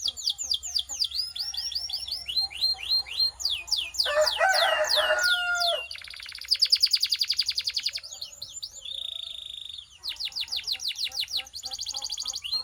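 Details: Canary song used for training, mixing fast descending whistled sweeps, a rough grating burst in the middle, a dense buzzy trill and a held pure whistle before more quick chirping rolls.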